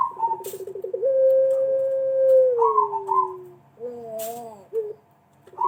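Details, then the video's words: Lure call of a Pelung collared dove, meant to set other doves calling. A rapid pulsed stutter opens into a long sustained note that slowly slides down, then wavering short coos. Indoors, no other clear sounds. "pancingan puter pelung pasti bunyi"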